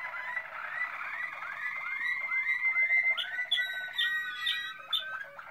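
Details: Malinois Waterslager canary repeating short rising whistled slurs about twice a second, building in strength, then breaking into higher, quicker clipped notes and a dropping, water-like gurgle near the end.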